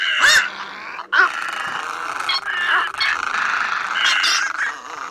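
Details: Little egret calls used to lure birds into nets at night, a black-billed flock calling and fighting; grating, nasal squawks pile up continuously, a loud sharp squawk opening and harsh overlapping croaks carrying on throughout.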